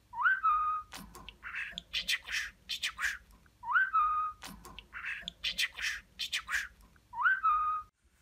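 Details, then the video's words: Pet talking budgerigar imitating human speech, mostly kisses and the word for "mommy": a clear rising-then-level whistle followed by a run of scratchy, high chattering syllables, the same phrase recurring about every three and a half seconds in a small room. "Öpücük Ağırlıklı Konuşan Muhabbet Kuşu"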